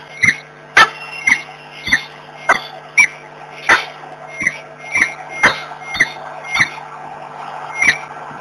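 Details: A pair of peregrine falcons at Włocławek, morning of 26 February 2023, gives a steady run of short, harsh, grating calls, about two per second, with a constant low hum beneath.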